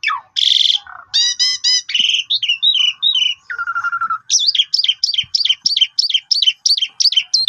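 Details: Pied myna in full varied song, played to set other birds singing: harsh burst, stacked repeated notes, wavering phrases, a low steady whistle, then a long series of rhythmic looping whistles repeated several times a second.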